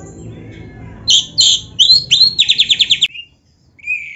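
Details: Short burst of oriental magpie-robin song imitating canary: a few loud harsh chirps, then a quick run of about eight rapidly repeated high trill notes, a pause, and one soft whistle.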